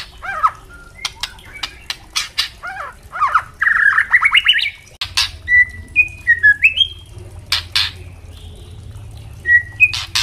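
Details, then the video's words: Captive white-rumped shama, including a young speckled bird, used as tutor song for training other shamas: varied whistled notes, rising rapid phrases and rattling trills mixed with sharp broadband clicking, over a low steady hum. "Murai trotol pasti gacor dan murai batu pastol bunyi ngeplong untuk Masteran murai batu trotol"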